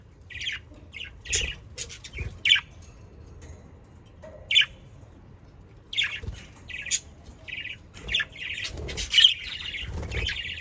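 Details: Budgerigars recorded in the Den Haag region, South Holland, Netherlands, played to stimulate pet budgerigars to sing. Scattered squawks and short chirping bursts come with gaps, growing into denser chatter toward the end.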